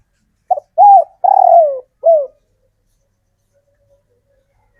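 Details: Spotted dove, a wild-caught local male, repeating its call to attract females: a short clipped note, then a steady coo, a long trembling down-slurred coo and a final dropping coo, followed by quiet and the start of another phrase.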